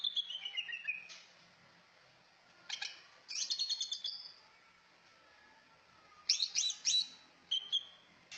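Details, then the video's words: Melodious cucak ijo song, opening with a descending whistled slide, then rapid clustered chirps and trilled bursts in several separate outbursts with quiet gaps between them. "Merdunya burung trucak ijo"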